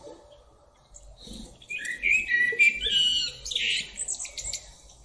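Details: Song of the common blackbird: a rich, fluty warbled phrase sliding across a few notes, ending in a higher, squeaky twittering flourish, over a quiet background.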